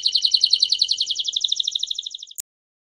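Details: A Belgian canary of the campainha type sings a bright, rapid trill of about fifteen notes a second, easing slightly lower over two seconds, then ends with a sharp click; Canary (Serinus canaria) song.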